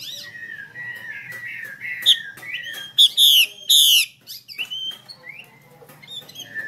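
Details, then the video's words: Chinese hwamei hen calling so that males will sing; warbled whistled notes run throughout, broken by three loud harsh buzzy notes in the middle and brief faint whistles afterwards. "Tiếng mi mái hay trùy trống căng như dây đàn"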